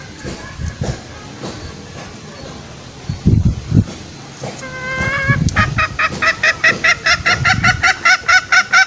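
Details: Green junglefowl lure call for trapping wild males; low rumbling noise and scattered sounds at first, then a rapid, even series of clipped nasal notes, about two and a half per second, to the end.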